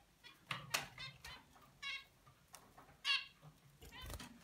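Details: A baby male zebra finch practises its song, trying to sing like his father, with scratchy, nasal notes and soft clicks.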